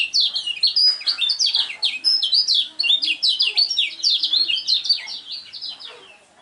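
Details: Lemon-bellied white-eye, a kecial kuning contest bird in ngejos style, in full voice: a fast, loud, chattering stream of high twittered and whistled notes, nearly nonstop, fading at the end.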